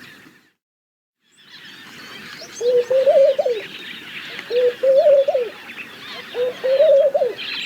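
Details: A moment of silence, then rustling background and three soft laughing dove phrases, each a brief low note leading into a rippling rise and fall, repeated about every two seconds.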